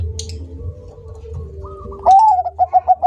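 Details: Bangkok zebra dove beginning its song after a low hum: a loud upslurred note, then the first few of a rapid series of short, evenly pitched notes. The song is cut off partway through.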